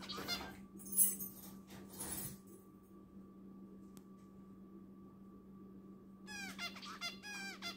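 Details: Pet zebra finch preening, with soft rustling and scratchy noises at first, then a short burst of quick, stacked, nasal song notes near the end, all over a constant low hum in a room.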